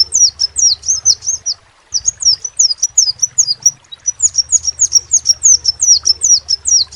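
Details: Crimson sunbird delivering long runs of sharp, high, flicking chirps, interrupted by two short pauses, the notes dense and regular, with a steady low hum underneath.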